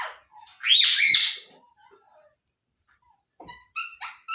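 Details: Indian ringneck parrots kept as pets indoors with young being fed; one loud, harsh squawk, then quiet, and a few short, clear chirps near the end.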